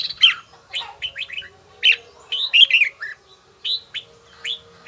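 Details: Red-whiskered bulbul voice practice with an even, bell-like tone. Loud slurred whistles and bubbling clusters repeat every second or so, ending in spaced downslurred notes over a low background hum.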